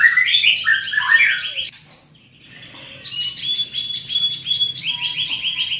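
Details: Greater green leafbird, large in body, singing loudly with fast sliding whistled notes, a short pause, then a sustained string of rapid repeated high trills.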